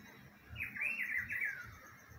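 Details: Rufous-browed peppershrike in spring: one rich whistled phrase of about a second, several warbling loops in the mid-high range sliding down at the end, over faint low background rumble.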